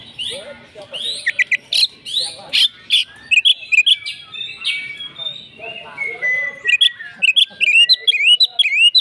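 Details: Oriental magpie-robin in fighting mood: harsh rasping bursts and mixed chatter first, then a steady flat whistle and fast looping whistled phrases near the end.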